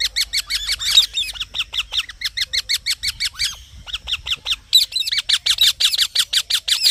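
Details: Green parrot chirping steadily and rapidly, about three squawky harmonic notes per second, almost without pause for the whole stretch.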